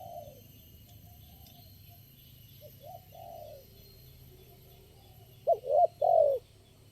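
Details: Wild spotted dove responding to decoy birds, the only one calling at the spot. Several seconds of faint, soft coos and quiet background lead to a loud final phrase of short clipped notes ending in a long falling coo.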